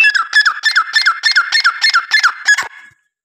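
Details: Francolin giving a steady run of about eight harsh, grating notes, evenly spaced roughly three per second, then stopping abruptly.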